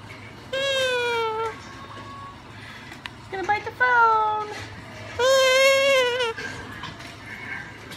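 An umbrella cockatoo gives two long, wavering, whining wails about a second each, with short spoken-sounding words between them indoors.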